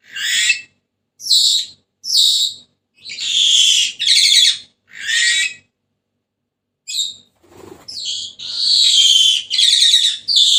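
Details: Senegal parrot calling in short, harsh, noisy bursts. Some are single clipped squawks and others are longer grating screeches, broken by a pause of about two seconds. Faint low knocking sounds are heard in between.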